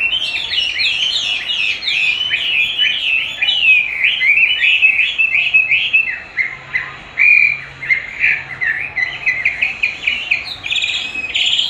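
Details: Chinese hwamei singing a long, dense stream of varied whistles and trills while being trained with a playback of its own voice, which it likes to fight against; loud and continuous throughout.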